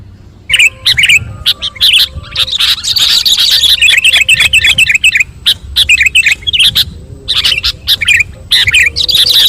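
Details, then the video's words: Sooty-headed bulbul singing busily while tutored with magpie-robin song: dense bursts of bright chirps and quick warbled phrases, short notes tumbling over one another with brief pauses, plus a low background rumble. "Kutilang Sutra Gacor manggung masteran muray"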